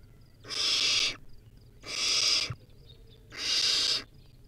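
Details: Three drawn-out, bright, hissing screeches from a wild baby barn owl at its nest during a rodent feed, each lasting well over half a second.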